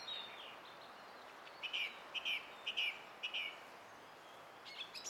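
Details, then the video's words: Song thrush singing on 20 April 2016, repeating one short, rich whistled phrase four times at roughly half-second intervals in the middle of the passage, with faint higher notes before and after and steady background hiss. "Kaunis ääni linnulla - Laulurastas"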